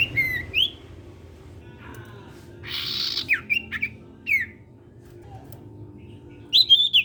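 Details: Common iora (sirtu) in lively song, used to draw other sirtu birds into singing: scattered phrases of high swooping whistles, a harsh rasping burst, then more loud whistles, over a steady hum.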